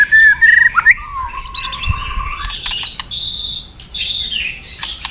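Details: White-rumped shama fighting song used to train and stimulate young birds. Bright whistled notes open the sequence, then a long level whistle fades into softer, scratchy warbling and faint clicks.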